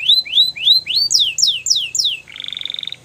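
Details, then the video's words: Singing canary, recorded for training young birds: four rising-falling slurred whistles, then four sharper high downslurs, ending in a rapid, even buzzy trill, over a faint low hum. "Canary Bird Sounds | The Best Canary Singing For Training"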